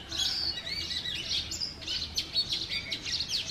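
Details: A male Oriental magpie-robin sings in the morning in front of a home in Sialkot, Pakistan: a varied run of high, sweet whistles and quick chirps with a few sharp downslurred notes.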